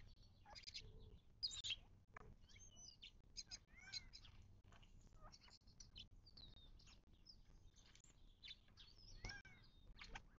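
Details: Several desert birds calling at a western Mojave Desert watering hole, southern California, 19 March 2024: a busy run of high chirps, short downslurred whistles and repeated ringing notes over soft low background noise.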